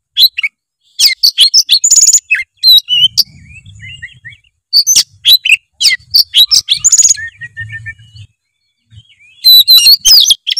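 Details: Long, vigorous 'gacor full isian' song of an oriental magpie-robin, aimed at making lazy birds sing: dense runs of high chirps, trills and whistles in three main bursts, with quieter twittering and faint low hum between.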